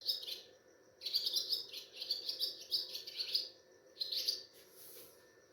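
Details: Swallow (Ababil) chirping at a home at Sehri time, before dawn on a moonlit night, recorded by mobile phone; high, buzzy chattering trills in several short bursts, some overlapping, with a faint steady hum underneath.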